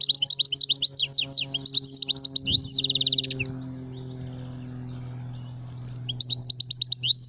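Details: Goldfinch calling in quick, liquid twittering runs of high chirps, a buzzy trill near three seconds, a quieter gap, then twittering resumes; a low steady hum runs beneath throughout.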